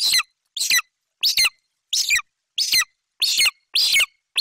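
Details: ['Excited young golden eagle at its nest in Bucovina, July 2021, screaming as its mother arrives with magpie prey: eight hoarse, buzzy screams with falling tails, delivered rapidly at slightly uneven intervals, nothing else audible.']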